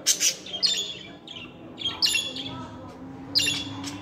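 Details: Pet budgies, males and females, calling to encourage others to talk; loud scratchy squawks interspersed with softer warbling chirps over a low background hum.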